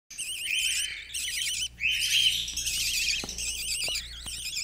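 A budgerigar chatters in a fast, wavering warble of high, rippling notes mixed with scratchy rasps.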